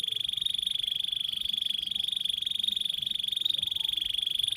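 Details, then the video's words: Canary, in long gacor singing used to train young birds, holding an unbroken buzzy rattling trill at one steady pitch over a faint low hiss. "MASTERAN Burung Kenari Gacor PANJANG"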